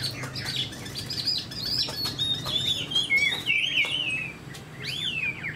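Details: Caged spread-tail Chinese hwamei delivers clear, high whistled phrases with slurred notes and short gaps, over a faint low background hum.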